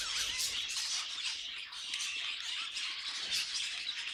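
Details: Several budgerigars singing together: a dense, unbroken chatter of high warbles, squeaky chirps and quick clicking notes that overlap throughout at a steady loudness.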